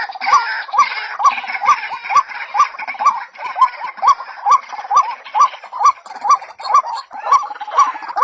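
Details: Female white-breasted waterhen calling to a male: harsh, croaking two-part notes with a rising then dropping inflection, repeated steadily about twice a second, with a faint hiss of background noise behind.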